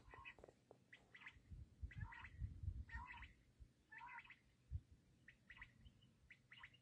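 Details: Black francolin (kala teetar) calling in quick, scratchy bursts of clipped notes, several per second in places, over a heavy low rumble of wind or handling noise.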